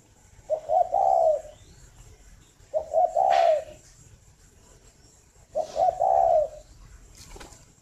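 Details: {'caption': 'Spotted dove at a Vietnamese breeding farm in Ba Vì, Hanoi, cooing on a morning. Three similar phrases come a few seconds apart, each soft and low with quick notes sliding into a longer held note, along with light clicks.'}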